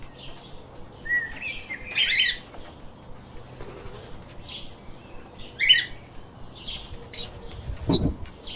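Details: Chirping pet lovebirds: scattered high chirps and short squeaky twitter clusters spaced a second or two apart, with a low thump near the end and faint background hum.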